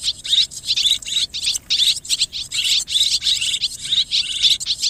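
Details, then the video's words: Several swiftlets giving mixed calls: buzzy, high-pitched chattering phrases repeating in regular short bursts, roughly two per second, over a clean background. "ສຽງນົກແອ່ນ ຮ້ອງປະສົມ Tiếng én, Tiếng Chim Énเสืยงนกแอ่น"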